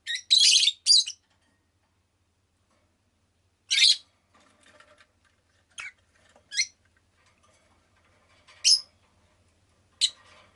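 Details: Rosy-faced lovebird kept as a pet, chirping: a loud harsh double burst, then scattered sharp, thin, high chirps and squeaks every second or two, with faint rustling and a soft low hum between calls.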